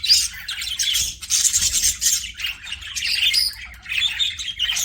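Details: Pet budgerigars chatter nonstop in a dense, scratchy warble of high chirps and squeaky notes, several birds overlapping with no pauses.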